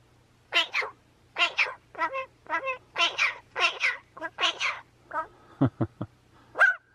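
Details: A magpie calling its companion over gives about a dozen harsh, nasal squawks, often in quick pairs, then a few sharp clicks and a final squawk over a faint low hum.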